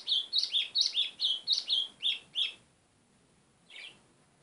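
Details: Loud, fast phrase from a White-throated seedeater: eight sharp, high whistled notes in quick succession with downward slurs, then a pause and one softer closing note, over a clean, quiet background.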